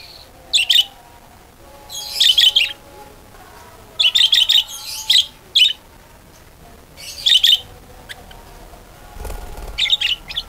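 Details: Budgerigar song meant to lure other budgerigars into singing. Separate bursts of quick, bright chirps spaced by quiet gaps of about one to two seconds, with a faint low thump near the end.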